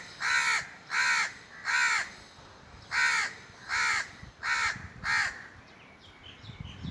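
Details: Seven strong, raspy caws from a crow, spaced under a second apart with one short pause midway, then quiet.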